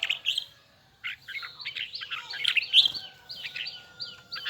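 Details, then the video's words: Red-whiskered bulbul of the Huế type in full song with a high, doubled, twisting voice: brisk bursts of bright warbled notes, a short pause after the opening phrase, then a fuller run of chirpy, slurred whistles. "CHÀO - MÀO - HUẾ Bung giọng nghe cực đã || Giọng cao kép xoắn nghe mãi không chán"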